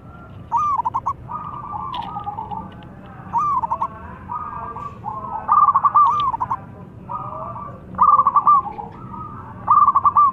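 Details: Zebra dove, local perkutut, giving a lively trapping-lure song: a long series of rolling, stuttered coos every couple of seconds, each starting with clipped notes and gliding into a smooth trill, some louder than others.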